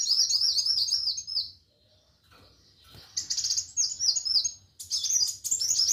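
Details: Sunbird, locally called kolibri wulung or muncang, singing in the energetic 'gacor fighter' style: high, rapid, chattering twitters and trills in dense bursts, a short pause near the middle, then renewed fast twittering to the end.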